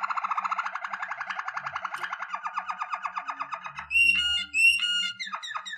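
A Waterslager canary sings a long, rapid rolling trill of low, bubbling notes, about nine per second, then breaks into brighter whistled notes and quick chirps.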